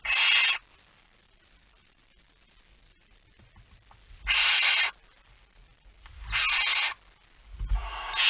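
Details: Feeding at a barn owl nest before dawn, 19 September 2019, 05:28: four loud, noisy hissing bursts, the first followed by nearly three seconds of silence, then quieter shuffling before three more harsh hisses.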